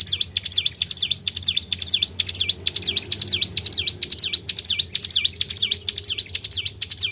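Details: Tribel bird calling to lure other birds, a continuous run of bright, high, V-shaped chirps in close pairs, about two per second, evenly paced throughout, with faint low hum beneath.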